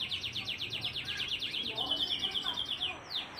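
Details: AF canary singing a speedy, dense, uniquely phrased song used as a lure and tutor for lazy canaries; a rapid buzzy trill gives way to a held whistled note, then a few downward sweeps.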